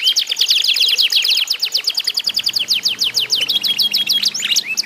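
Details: Canaries sing against each other to encourage other canaries to join in. Rapid sharp chirps form fast trills, ending in longer warbled whistles.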